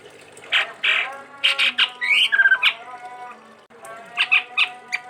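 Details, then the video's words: Sumatran chestnut-rumped babbler kept as a cage bird gives a busy song of harsh rasping notes, a quick descending trill of whistled notes, then more scattered chirps. "Tepus Tunggir Merah Gacor"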